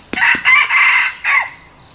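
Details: Red junglefowl decoy cock, a newly acquired bird being tried out, gives a single loud crow of about one and a half seconds, broken into three or four harsh, buzzy segments with a clipped final note, preceded by two sharp clicks.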